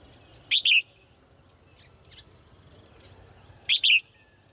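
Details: Caged female bird chirping brightly in the morning, giving two high double chirps about three seconds apart, each a quick note then a slightly longer one, with soft faint twitters in between.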